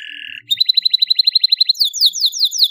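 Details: Canary song meant to train young birds to sing: opens with a lower buzzy note, then a rapid high trill of repeated notes, then slower downward-slurred whistles.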